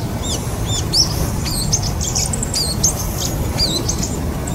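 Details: Bull-headed shrike, amid calls such as high-pitched calls, alarm, subsong, mimicry and begging. A lively run of varied squeaky, bent whistles and chirps in quick succession over low background rumble.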